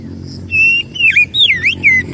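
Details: Oriental magpie-robin lure song for attracting birds: loud clear whistled notes, some steady and some swooping down and up in V-shaped slurs, over a low rumbling background.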